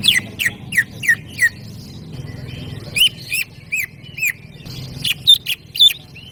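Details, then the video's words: Greater green leafbird, tutor recording: a string of loud down-slurred whistled notes, then varied sharp chips and slurs with brief pauses, over a low background hum. "SUARA MASTERAN CUCAK IJO GACOR%100"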